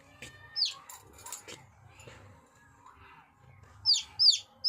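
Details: Chicks with a single high falling peep early on, a stretch of soft rustling and scratchy noises, then three loud, shrill, downward-swept peeps in quick succession at the close.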